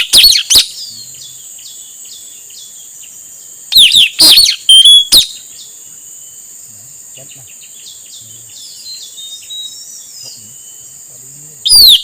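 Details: Shrill calls of a male Blue-rumped Parrot, used as a lure for wild birds. A quick burst of piercing downslurred notes opens, another cluster follows midway, and one more comes at the end, over a steady high-pitched hiss.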